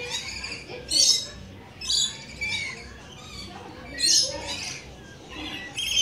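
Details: Rainbow lorikeets arriving to visit give harsh, high screeching squawks in bursts about once a second, with quieter chatter between calls and a faint background murmur.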